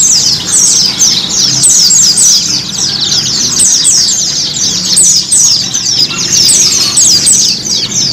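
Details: Singing white-eye (pleci) recording meant to stimulate caged birds to sing; unbroken stream of shrill, quick descending twitters, very dense, over a soft low background rumble.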